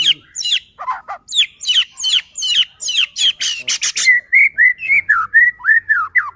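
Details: White-rumped shama song played to make other shamas sing: fast run of sharp chirps and rattles, then a steady series of clear slurred whistles.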